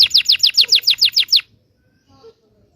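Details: Canary song meant to train young canaries: about ten quick descending whistled notes in an even series, then quiet with a faint murmur.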